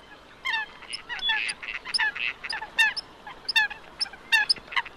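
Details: Coot calls in a fast irregular run, about 78 short, harsh, nasal notes a minute, some clipped and some slightly drawn out, with faint softer notes underneath.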